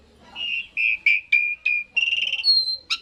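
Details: Asian pied starling song meant to prompt birds to join in: a row of steady mid-pitched whistles, each about a quarter second long, then a higher pulsed note and a sharper final whistle.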